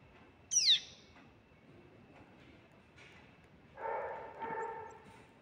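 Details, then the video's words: Single high, thin downslurred squeak from a pale-billed flowerpecker baby near the start, followed by quiet, then two soft rustling, buzzy bursts of noise. "Pale billed Flower Pecker baby"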